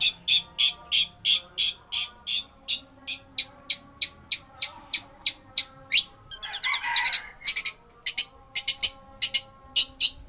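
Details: Long-tailed shrike, known as pentet, in lovebird-mimicking song: crisp, high chirps repeated about three times a second, a brief harsh burst, then quicker irregular chirps.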